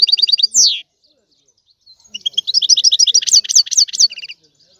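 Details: European goldfinch song: a quick series of high tinkling chirps and a downward slurred note, a short silence, then a dense, rapid twittering trill rising in energy before fading.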